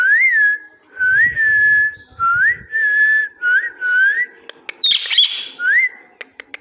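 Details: Parrot repeats a bright whistled phrase, rising then levelling, about once a second, before a brief harsh squawk and one more whistle. Faint low rumble under the early phrases.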